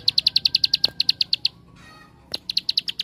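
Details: Bar-winged prinia singing the 'tembakan' lure song that sets other prinias singing: a quick volley of high sharp chips, a brief gap, then the chipping resumes at the same brisk pace.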